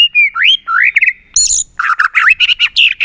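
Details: White-rumped shama in tail-flicking 'tạch' display, played to stir another shama to sing in contests; rising whistled slurs, a harsh burst, then a fast run of loud varied chattering notes.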